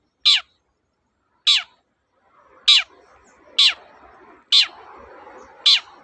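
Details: Long-tailed shrike, used as a lure to restart silent shrikes: six loud, harsh, downward-slurred calls roughly once a second, with a soft rushing noise rising in the background.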